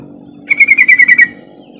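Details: Yellow-vented bulbul (trucukan) call played to provoke silent birds into song: a single fast bubbly run of about eight ringing pulsed notes, gently falling in pitch, over a steady low hum.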